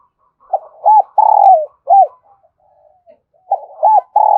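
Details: Decoy spotted dove calling to lure wild doves: two hollow cooing phrases, each a stuttered start, arched coos and a drawn-out buzzy falling note, separated by a short quiet gap with faint murmuring.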